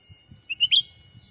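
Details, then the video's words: Lure call of a black-capped bulbul for wild birds, Sumatran forest: three quick whistled notes stepping upward, the last loudest, with soft low rustling. "suara asli pikat cucak ranting"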